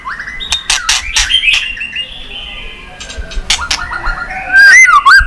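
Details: White-rumped shama clicking song meant to stimulate pet shamas: sharp clicks and short slurred whistles, ending in a louder twisting whistled flourish.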